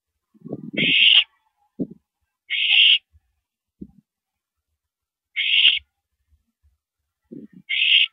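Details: During a mouse delivery at 9:17 PM on April 13, 2012, an owl gives four harsh hissing screeches at uneven gaps, mixed with lower scuffling, thumping and shuffling sounds.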